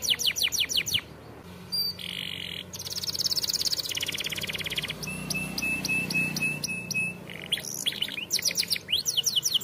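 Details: Champion-style canary song for training young canaries: fast descending trills, then buzzy rattling bursts and a run of thin steady whistled notes, switching phrases every second or two before returning to quick sweeping trills.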